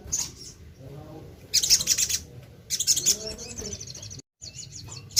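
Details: Crimson sunbird (sogon, sogok ontong), lively singing bird in a lure recording: bursts of dense, very high chattering twitters, a second burst after a pause, then a fast fine trill and a closing sharp chirp.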